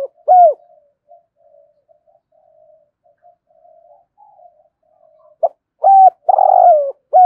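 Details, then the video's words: Lure spotted dove cooing in the morning to attract wild doves, 'thổ sấm' voice type; one strong coo, a long stretch of quiet murmured notes, then a full phrase of short note, held coo, rolling coo and final coo. "Chim Cu Mồi Gáy Gọi Chim Bổi Buổi Sáng"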